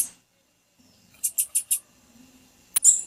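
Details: Female blue-black grassquit call, used to stir a male into singing: four short, very high squeaky notes in quick succession, then a sharp high click and a brief squeak near the end, in an otherwise quiet setting.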